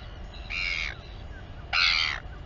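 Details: Royal albatross mother feeding her chick in the colony at Taiaroa Head near Dunedin, New Zealand. Two loud, drawn-out harmonic squeals, each about half a second long and a second apart, over faint background wind.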